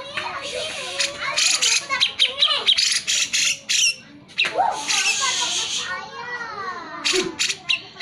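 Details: Grey-cheeked bulbul (cucak jenggot) in full vigorous song, used as a lure to prompt lazy birds to sing: harsh, buzzy, broadband chattering bursts mixed with short wavering whistled notes, in rapid irregular runs with brief pauses.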